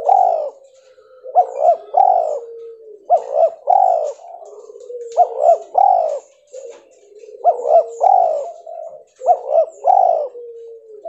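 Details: Spotted dove with albino cotton-white plumage repeating a regular cooing phrase about every two seconds: quick rising double notes into a throaty drawn-out coo, with soft lower tones between.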